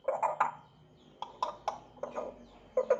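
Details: Grey parrot starting to chirp: short, harsh, nasal chirps in quick bursts of two or three, separated by brief pauses, with a faint steady high tone in the background.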